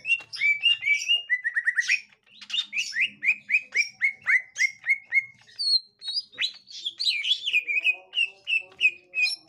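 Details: Green leafbird, captive bird encountering a young wild one: long run of rapid repeated slurred chirps, then sharper high squeaky notes and rising whistles, lively and continuous.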